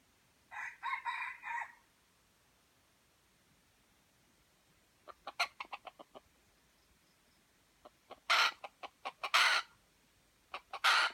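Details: F1 white-legged junglefowl from Aceh: a harmonic, nasal drawn-out call near the start, then spaced ticking clicks and loud harsh bursts, each about a third of a second, in quick clusters.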